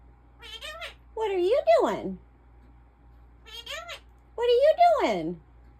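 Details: Pet African ringneck parrot indoors imitating human speech: high, voice-like phrases with gliding pitch, in three bursts separated by short pauses, in a quiet room with a low hum.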